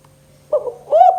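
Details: Spotted dove in the kuk 2 call style, played to lure silent doves into calling. Two short mellow coos, the second bending up and then levelling off, over a steady low electrical hum.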